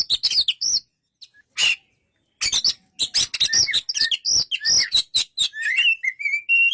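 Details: Oriental magpie-robin song of fast sharp chips and ringing looped whistles after a short silence, finishing with a series of higher rising whistles.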